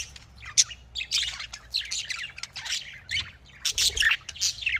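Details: Budgerigars (Australian parrots) in a breeding setting give harsh squawks and chirps in uneven bursts separated by short gaps, the chattering rising again near the end.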